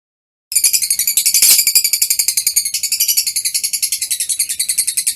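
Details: Lovebird chattering song recorded on 21 March 2023: a fast, buzzy, high-pitched twitter of rapid repeated notes, about four per second, running continuously after a brief silence.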